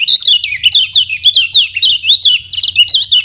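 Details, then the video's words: Lombok lemon-bellied white-eye, kecial kuning, whose varied song serves as a training lure for other birds: a dense, unbroken stream of quick high chirps and slurred twitters, evenly pulsing throughout. "KECIAL KUNING PANCINGAN UNTUK BURUNG BELAJAR BUNYI DAN MALAS BUNYI"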